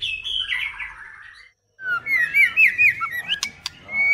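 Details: Female White-rumped shama in a cage gives a harsh descending chatter, a brief gap, then a lively run of whistled, slurred notes over light background hiss.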